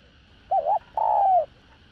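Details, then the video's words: Decoy spotted dove of the 'đồng rặc' voice type, calling and cooing to draw in other doves. A single phrase: a quick wavering double note, a short pause, then one drawn-out mellow coo sliding downward at the end, against a low steady hum. "Cu Gáy ĐỒNG RẶC Giọng Hạp Bổi ĐỦ BÀI GỌI + THÚC + GÙ"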